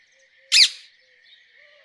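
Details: Rose-ringed parakeet giving a single loud, harsh screech, with a steady high buzzing hum and soft low notes from another bird in the background.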